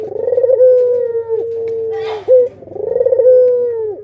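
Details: Pet Barbary doves, a parent pair with chicks: two full coos, each a throbbing, tremulous build-up that swells into a sustained mellow note and falls away. A short sharp note sits between them, with a faint low hum behind.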